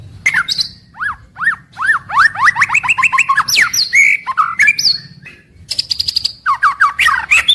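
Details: White-rumped shama daily song played to get shamas singing from morning to evening: repeated downslurred whistles near the start, then rapid rising-falling whistled phrases, sharp high chips and a sustained high whistle, lively and varied.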